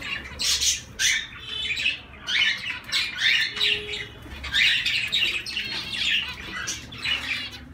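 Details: Zebra finch flock chattering: repeated harsh, nasal call notes in loose bursts of roughly one per second, overlapping one another throughout.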